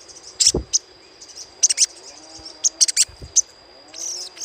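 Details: Little spiderhunter chattering call, played as a lure: sharp high chips in short bursts, roughly once a second, over a faint steady high whine, with a few low thumps.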